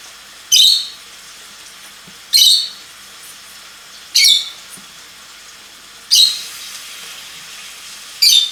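A lovebird gives five harsh, shrill screeching bursts, each about half a second long and spaced roughly two seconds apart. A quiet background hiss runs underneath.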